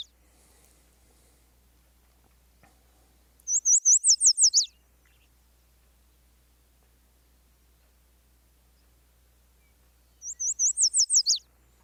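A Yellow Warbler sings two brief, bright songs about seven seconds apart: a run of quick, high, sweet notes that tapers into a downward flourish.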